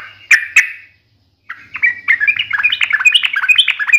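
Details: Yellow-vented bulbul (trucukan) in sharp, fighting-style chattering song: two loud burry notes, a pause, then a fast, dense tumble of jumbled chirps and squeaks gathering pace, with a faint low hum behind.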